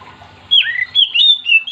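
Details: Brief burst of Oriental magpie-robin song, used to stir other magpie-robins to sing: a loud whistle that drops steeply, followed by three clear, level whistled notes in quick succession, over a low hum.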